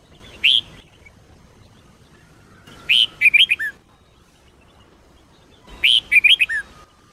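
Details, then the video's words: Red-whiskered bulbul singing in the Sông Kôn song style, used for training other bulbuls: a lone short note, then two brisk phrases of bright, warbled, rising-and-falling whistles, about three seconds apart, with quiet pauses between. "chào mào SÔNG KÔN hót cực hay"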